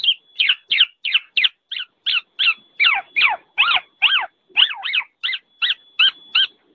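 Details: Black-naped oriole with quick, repeated, slurred notes. Some notes swoop down then up in strong doubled phrases near the middle, over a faint steady hum.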